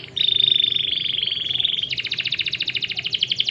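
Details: Canary song played to encourage sluggish canaries to sing: a long sustained high whistled note with buzzy overtones, switching to a rapid evenly pulsed trill.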